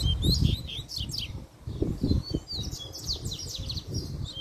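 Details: Fiery male double-collared seedeater singing a puxada-style song: quick high chirps and downslurred whistled notes in rapid bursts, over heavy low rumbling and thumping noise.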